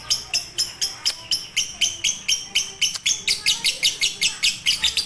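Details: Lovebird konslet or fighter song as a master for silent birds: sharp, scratchy high chirps, slower at first, about four per second, then quickening into a denser chatter.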